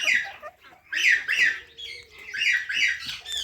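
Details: Parrot chirping, natural recording: loud rasping chirps in short clusters, three bursts with quieter gaps between, each note harsh and slightly falling in pitch.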